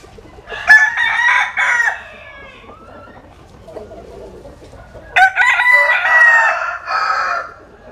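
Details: Rooster crowing while basking in sunshine in western Vietnam: a long ragged crow ending in a falling tail, a quiet pause with soft clucks, then a second full crow.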